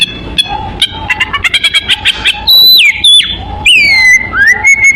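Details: Lure song of the oriental magpie-robin (kacer) for attracting birds: a rapid series of short chips, then long high whistles that drop sharply and settle into a steady held tone, over faint background hiss.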